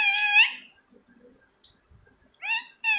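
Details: Pet talking parrot at home mimicking human words: short, loud, harmonic spoken-sounding bursts at the start and end, separated by quiet gaps with faint small clicks.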